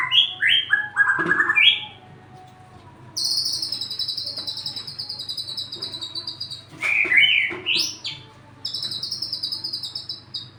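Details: White-rumped shama song: clear whistled notes sliding downward, followed by long, even, buzzy high trills, then a rising whistled flourish and another trill. A low steady hum runs underneath throughout.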